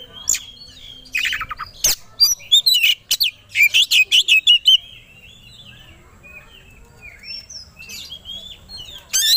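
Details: Kacer (Oriental magpie-robin), a competition songbird, singing aggressively as provocation: a fast run of about ten sharp high chirps, then quieter scattered whistles and a final loud burst.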